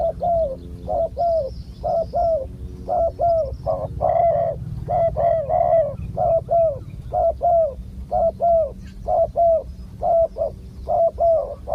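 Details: Spotted dove, a wild bird with a big coo voice, heard during decoy luring: short hollow coos repeated roughly once a second in pairs and clusters for nearly twelve seconds over low background hum.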